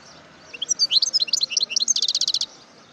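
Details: Wild European goldfinch singing, recorded in 2018: a quick run of high, bright twittering notes, then a fast buzzy trill of rapidly repeated identical notes before stopping, all in about two seconds.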